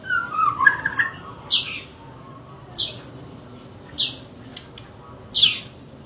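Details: A Medan-type White-rumped shama (Copsychus malabaricus) in loud fighting song: soft varied warbles, then four loud, harsh, rasping bursts about every second and a quarter, high-pitched and forceful.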